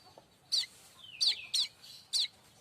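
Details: Streaked weaver singing as a tutor song for training oriental magpie-robins and white-rumped shamas: four short, sharp chirps with quick downward slurs, about half a second apart, one linked to the next by a thin falling whistle.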